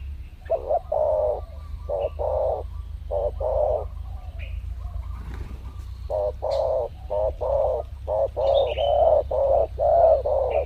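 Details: Spotted doves lured in the wild during a supposed mating season, coming in pairs; a long run of soft, low coos in quick succession, bunching into rapid groups near the end, with faint higher chirps of other birds and a constant low hum.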